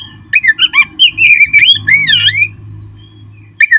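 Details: Oriental magpie-robin song, used as a recording to stimulate kept birds to sing: a rapid string of clear, bending whistles and chattering notes around two seconds long, then a brief pause and a fresh phrase, over a low steady hum.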